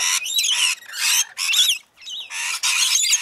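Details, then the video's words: Rainbow lorikeets feeding, giving harsh, buzzy screeches in dense bursts with quick wavering squeals, several calls overlapping, and short pauses between bouts. "Rainbow Lorikeets feeding"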